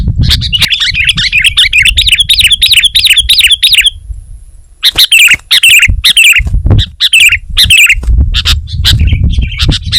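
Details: Vigorous sooty-headed bulbul song: a sustained wavering chatter of rapid notes for about four seconds, a silent pause, then loud irregular chirp bursts over low rumble.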